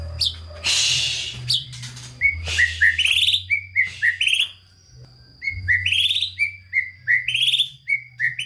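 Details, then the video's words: White-rumped shama in full song, used to rouse lazy, unexcited shamas: short clear whistles alternating with buzzy rising trills in quick succession, after an opening burst of harsh noise, over a low hum. "Murai Batu GACOR Full ISIAN‼️ COCOK untuk Pancingan Murai Malas Bunyi dan Kurang Emosi"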